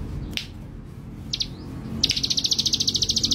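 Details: Male Bar-winged Prinia gives a few isolated sharp high notes, then launches into a long, fast, even trill of buzzy high-pitched notes that runs to the end.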